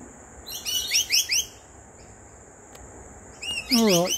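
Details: Two lorikeets, a pair, perched in a backyard tree: described as singing, they give quick runs of shrill, screechy chirps, then another harsh burst with a lower rasping squawk, over a steady high insect-like tone and a voice.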